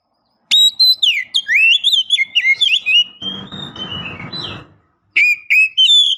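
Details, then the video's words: Female Oriental magpie-robin calling to provoke males: loud, clear slurred whistles rising and falling in a rapid run, with a patch of broad hissing noise midway. "kicau burung kacer memanggil - pancingan kacer agar bunyi"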